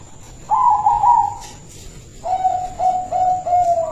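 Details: Caged silver-coloured local zebra dove, a lure bird, giving a rolling trilled coo followed by a lower series of four evenly spaced bubbling notes.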